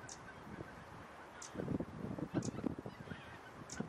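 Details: Flock of geese, mostly greater white-fronted geese with tundra bean, Egyptian and barnacle geese, grazing undisturbed in a polder on 26 January 2017; overlapping low nasal honks and cackles in steady chatter, soft background noise.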